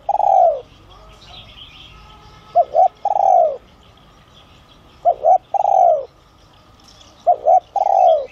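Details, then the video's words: Spotted dove of the son voice style, cooing to call wild doves nearer. Opens on a trailing long coo, then three full phrases of two short coos and a sustained downward-sliding coo. Faint chirps of other birds behind. "Chim Cu Gáy GIỌNG SON kích bổi| | tiếng cu gáy gáy gọi , thúc kích mồi, gọi bổi đến"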